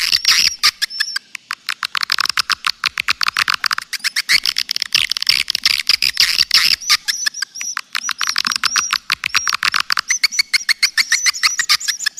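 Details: Lure call for swiftlets: a long, fast, steady train of sharp clicking chirps, almost like rattling, with faint high whistled notes running over the top throughout.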